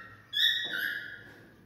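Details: Cockatiel singing to stimulate mating: a single clear whistled note, starting high and dropping slightly to a lower, steady pitch that fades over about a second.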